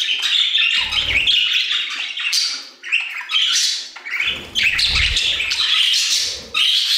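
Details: Aviary budgies in song, overlapping chattering warbles and harsh squawky notes almost without pause, with low thumping bumps from perch or wing movement.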